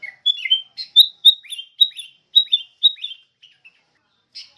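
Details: Sooty-headed bulbul notes offered as a lure for teaching other songbirds. Clear, high downslurred chirps are repeated roughly every quarter second in an even run, then fade into a pause before one last burst, with no other sounds.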